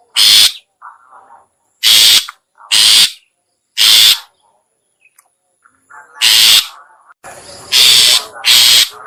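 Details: Long-tailed shrike lure call for attracting other shrikes: loud, harsh scratchy notes in an irregular sequence, some paired, with faint softer lower notes between them.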